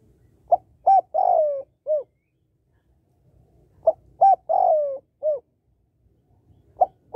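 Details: Hen spotted dove calling to stir up males: repeated phrases of two brief coos, then a longer sliding coo that falls away and a closing soft note, roughly every three seconds, with a third phrase beginning at the end.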